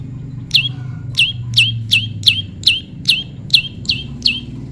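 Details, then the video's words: Tame prinia in natural pairing, calling a steady series of about ten sharp, high, downslurred chips, roughly three per second, against a low background rumble. "prenjak lumut jodohan alam/prenjak jinak/prenjak bawah/prenjak putih"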